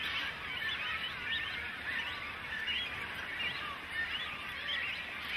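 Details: Begging great cormorant nestlings clamour for food from adults; a busy wash of high, warbling, overlapping squeals with short arched notes, no single bird standing out.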